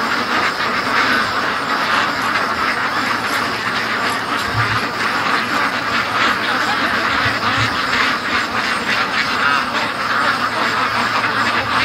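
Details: Hundreds of free-range domestic ducks on their daily rush home from the lake: a relentless, loud chorus of overlapping harsh quacks, pulsing irregularly, with faint low thumps underneath.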